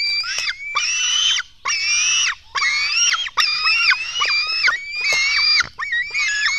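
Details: Hungry black stork chicks at a nest in Latvia during a dawn feeding on 24 June 2016: a steady run of about nine harsh, buzzy cries, each under a second, with short breaks and faint clicks between them.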